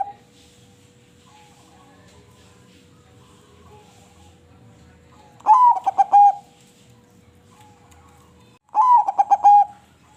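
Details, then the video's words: Crossbred perkutut, the zebra dove, singing two soft cooing phrases several seconds apart, each a quick stutter of mellow notes settling into a longer level coo, over a low steady background hum. "Burung Perkutut krosing Suara Merdu"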